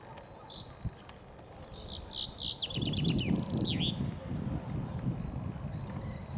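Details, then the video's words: Singing common chaffinch, one of several, in spring along the Ob River near Novosibirsk, Siberia. A run of bright repeated notes falls in pitch through a quicker rattle to a final downward flourish, with low rustling noise underneath. "Пение зяблика весной. Зяблик поёт весной."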